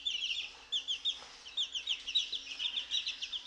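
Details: Fourteen-day-old chicks out for a morning mealworm feed; quick, sharp peeps in a steady stream, several birds calling together with little pause.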